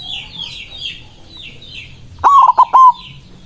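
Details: Small birds chirp high for two seconds, then a white zebra dove calling to rivals gives one loud cooing phrase: a stretched note followed by two clipped coos and a long trailing note.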